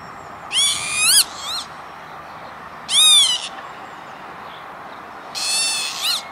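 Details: Lapwing calling over an industrial area at Veenendaal, Netherlands, late May 2013; three drawn-out nasal, rising-and-falling calls with rich harmonics, spaced roughly two seconds apart against quiet background hiss.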